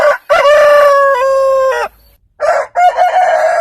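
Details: A rooster crows loudly, part of a heritage-breed compilation. One long, level crow of about one and a half seconds ends in a downward slur. After a short pause come two shorter, rougher crows.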